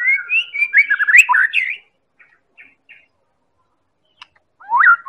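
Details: White-rumped shama, Medan variety, singing as a lure for other birds; a rich burst of quick varied whistles and chips, a pause with faint clicks, then a single rising whistled note.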